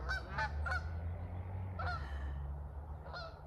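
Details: Canada geese flying south over a cemetery at dusk, honking to each other in a quick series of nasal two-part calls, three at the start then two more, over a steady low rumble of wind or traffic.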